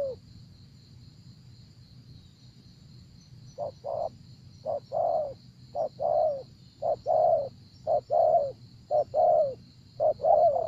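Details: ['Spotted dove cooing during decoy trapping in Vietnam: silence for several seconds, then steady paired and tripled low, downward-sliding coos, with a constant faint high-pitched hum throughout.']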